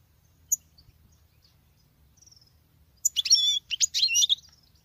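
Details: A female European goldfinch sings like a male: after a lone high chip, a rapid run of tinkling, twittering notes with short buzzy trills follows for more than a second.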